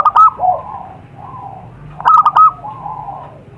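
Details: Zebra dove, wild, recorded in nature in Indonesia as a lure sound for wild birds: two loud stuttering, bubbly coo phrases separated by softer, lower, drawn-out coos, with a faint low background hum.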